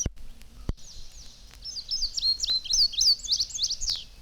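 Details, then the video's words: In spring, an Indigo Bunting on a telegraph wire over berry bushes sings a high, bright, rhythmic song with notes in distinct pairs, like "sweet, sweet, where, here, here, see it," after a couple of faint clicks. "It is an indigo bunting, and it seems to say, "Sweet, sweet, where, here, here, see it," and so forth. We"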